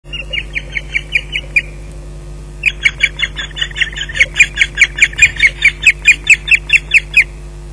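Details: Osprey at its nest at Loch Garten, delivering a fish on 19 June 2011 at 17:27; high, sharp whistled notes given in quick regular runs, a short burst then a longer series of about twenty, over a steady low electrical hum.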